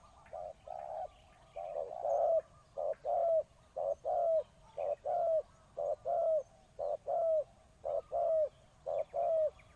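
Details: A spotted dove kept as a decoy to lure wild doves coos steadily. Each short note leads into a longer one that bends downward, and the pattern repeats about once a second in a calm setting.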